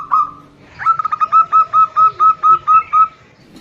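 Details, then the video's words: Zebra dove, female calling a male who answers with a big voice: one short coo, then a fast stutter of notes settling into a steady series of ringing, even coos about four per second. "Perkutut betina memanggil jantan bersahutan dengan kutut lokal gacor jantan suara besar"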